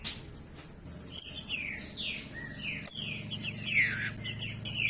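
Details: Green-winged saltator singing, used to warm up quiet saltators into song: loud whistled phrases of sharply falling and rising slurs begin after a second, with thinner high notes above and a low steady hum beneath.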